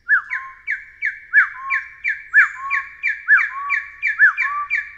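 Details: Loud Taiwan hill partridge whistling: short descending notes repeat about twice a second, broken by arched rising-falling whistles that drop into a lower, even tone.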